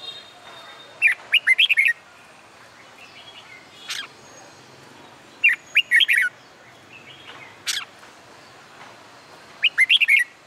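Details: Red-whiskered bulbul singing in summer sun, used in training for song contests; bright warbled whistled phrases of four to five notes, repeated roughly every four seconds, with single sharp chirps between them.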